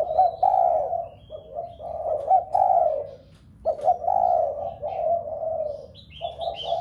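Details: Spotted dove cooing to stimulate the doves kept at home to coo: repeated throaty phrases, each with a quick lifted note leading into a drawn-out falling coo, about six in seven seconds, with thin chirps overhead.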